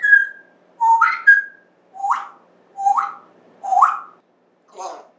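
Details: Indoor pet African grey parrot, September 14, 2024, producing a run of rising whistled notes, each swooping upward, repeated roughly once a second, ending with a lower rough syllable.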